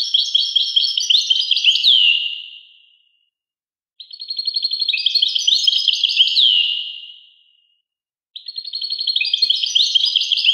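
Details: Goldfinch song in three bouts. Each is a fast, liquid twitter of high chirps and trills that closes with a descending slurred note, separated by about one-second silences.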